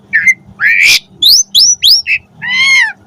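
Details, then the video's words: Asian pied starling song for tutoring pet starlings: a whistled note, a rising harsh rasp, three quick upward-slurred whistles, a short chirp and a long arched nasal note. "Suara Jalak Suren Gacor Full Variasi Cocok Buat Masteran & Pancingan Burung Jalak Agar Gacor Isian"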